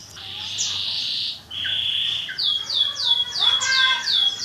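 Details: Songbird song during training, birds competing in song against each other to build nerve for contests: a long steady high whistle, then a run of quick downslurred notes and stacked chirps, with faint voices behind.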